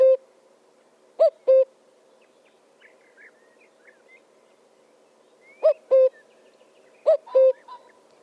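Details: A bird with a strange voice: loud paired calls, each a short rising note followed by a flat held tone, repeated in bursts with long gaps, with faint high chirps between them.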